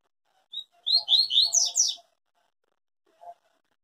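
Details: Unbroken tui-tui song from a yellow-bellied seedeater: a single thin introductory note, then a string of about six quick, descending-and-rising whistles. A low hum runs beneath, and one soft knock comes later.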